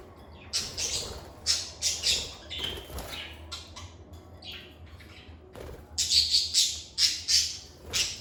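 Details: Lovebirds kept as pets chatter in bursts of shrill, scratchy chirps and brief whistles. A lull in the middle gives way to a quick run of rapid, squawky notes near the end, over a steady low background hum.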